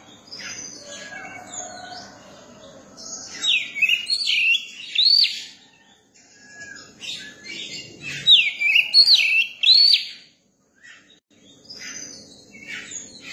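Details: Young Oriental magpie-robin singing in bursts of loud, varied whistles and twittering notes, each burst about two seconds long, separated by quieter gaps with faint chirps.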